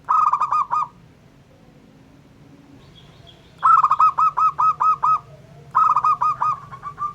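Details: Local zebra dove singing to provoke other doves: three bursts of quick, rolling cooing notes at a mid pitch, each run of about six to eight notes lasting under a second. Quiet pauses fall between bursts, with a low steady hum throughout.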